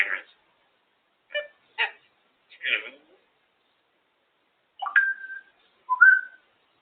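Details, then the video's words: Pet female African grey parrot chattering on her cage indoors: short harsh squawky bursts, then two clearer whistled notes, one a flat held whistle and one rising, with quiet gaps between. "African grey parrot chatting away and making noises on her cage"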